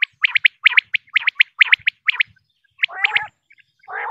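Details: Female common quail calling, recorded for hunting: rapid pairs of crisp high notes repeated about once a second, then a lower, grating, nasal burst and a short rough sound to close.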